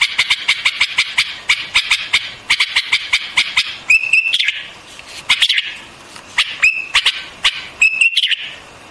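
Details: White-eared bulbul: a long run of fast sharp staccato notes, then several clear whistled notes spaced out by brief pauses.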